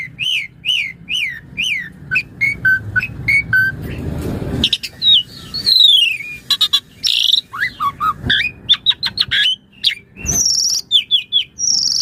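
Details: Asian pied starling master song for morning, afternoon and night training of other birds; repeated looping whistles, a noisy rasp mid-way, then mixed high squeaks and clicking chirps.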